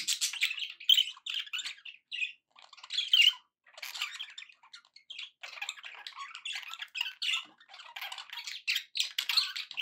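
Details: Pet budgerigars in a happy mood give choppy bursts of scratchy warbling and squawks, then a long, continuous twittering chatter.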